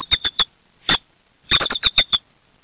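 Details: Bald eagle at a Berry College nest alerting to an intruder trying to steal a fish head, eaglets keeping still; short clipped high squeaky notes, a triplet, a single note, then a quick run of five.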